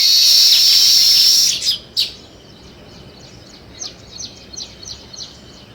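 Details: Sparrows chirping: a loud, dense burst of high chirps for about a second and a half, then quieter, scattered short high chirps repeated against faint background hiss.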